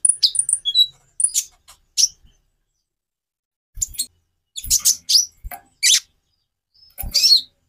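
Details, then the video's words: Konin (kolibri ninja) sunbird song variations: bursts of very high, sharp chirps and thin whistled notes in short clusters separated by pauses, some buzzy trills near the end. "Variasi kicau burung Konin"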